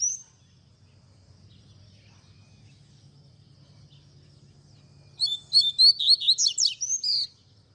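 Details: Double-collared seedeater in the tui tui zel zel song style, used to train young birds. After a long quiet stretch with a faint low hum comes one fast burst of sharp, high, twisting whistles lasting about two seconds.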